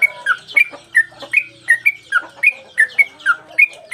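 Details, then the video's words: Sooty-headed bulbul in energetic song while playing its tail, captured as training audio for cage birds. Loud, sharp chirped notes with downward flicks come in a brisk regular series, about three each second, with soft lower notes beneath. "Trucukan gacor mbandul satu lagu main ekor dan Garuda cocok buat masteran"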